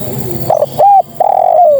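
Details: Female spotted dove calling males, giving two short coos followed by a long, slowly falling coo, with low background rumble.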